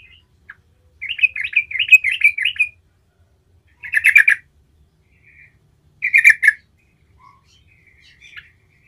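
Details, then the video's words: Yellow-vented bulbul singing a rolling song meant to draw replies from other bulbuls. A long bubbly warble is followed by two short gurgling bursts, separated by quiet pauses. "Trucukan jenis apapun 100% NYAUT seketika dengar panggilan Trucukan gacor ngerol ini"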